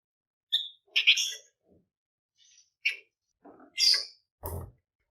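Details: Flamboyan bird, singing steadily in dense bursts, recorded as a lure to get other birds singing: harsh, chattering notes in short separate bursts with one clear whistled note at the start and a rasping burst at the end.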